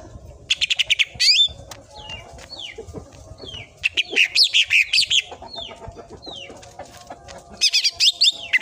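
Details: Cucak ijo, the greater green leafbird, in a full tembakan bout used as a masteran tutor song: dense bursts of rapid chirps mixed with descending slurred whistles, delivered in long, busy phrases.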